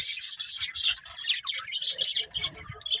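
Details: Budgerigars keeping up fast, scratchy, high chattering warble in quick pulses throughout, with faint soft thuds below.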